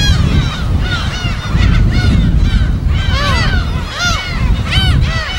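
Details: Gull colony on an uninhabited Yellow Sea island in Korea, wild nesting site recorded on location; dense chorus of nasal, down-curving cries in quick bursts, with heavy low surf rumble underneath.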